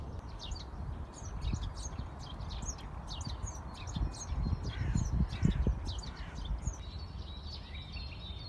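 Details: Birds singing in a park in April: many short, high chirps and twittering notes overlapping throughout, set against a steady low rumble of background noise.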